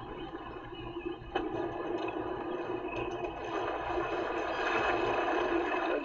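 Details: Steady rushing and rumbling noise like water or a running vehicle, with no animal calls.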